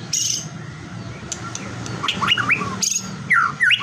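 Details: White-rumped shama lure song played to provoke rival shamas into singing: short hissy bursts followed by loud twisting whistled slurs and chips toward the end, with faint low background hum.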